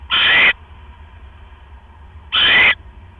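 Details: Owl calling on the evening of October 18, 2015, at 7:24 PM as one bird brings a rat to its mate: two harsh, hissing screeches about two seconds apart, each under half a second, over a faint low hum.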